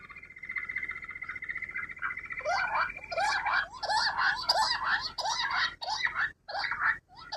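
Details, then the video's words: A rock bush quail gives a steady high ringing tone, then a rapid run of harsh, chattering notes about twice a second. "Bater ki awaaz rock bush Quail shikar ki awaaz"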